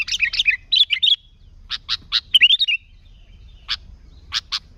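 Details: Lively sooty-headed bulbul for attracting other bulbuls: opening burst of warbled, fluty phrases, then spaced harsh double chips with another quick bubbly phrase between them.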